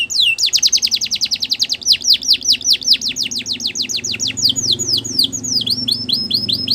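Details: Belgian canary singing to train young canaries, an unbroken string of fast falling whistles that gradually slows into spaced upward-hooked notes, with faint low background noise.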